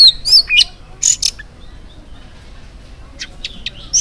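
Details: Oriental magpie-robin, morning song used as a lure for other magpie-robins, heard as a few loud whistled and squeaky notes at the start, a quiet pause, then a brief cluster of sharp chips.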